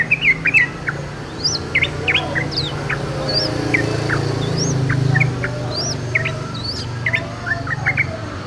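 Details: Wild yellow-vented bulbul song: a run of sharp chirps and short upward-sweeping whistled notes, scattered irregularly through the recording, with a constant low hum beneath.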